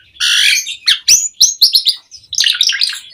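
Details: Asian pied starling in full mompa song, meant to trigger replies from other songbirds: a harsh rasping burst, sharp snapping notes and rising whistles, ending in dense chatter.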